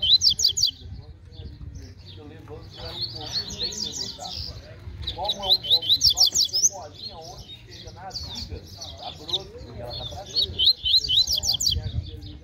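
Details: Double-collared seedeater, a fast, strong singer, competing in a baderna contest: three bursts of rapid, trilled whistled notes at high pitch, with steady human chatter and crowd murmur throughout.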